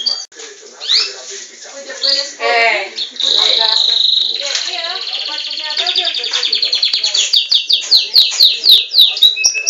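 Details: Belgian canary, bred in captivity, opening with a few broken harmonic notes, then a sustained high whistle that speeds into rapid rhythmic rolling trills.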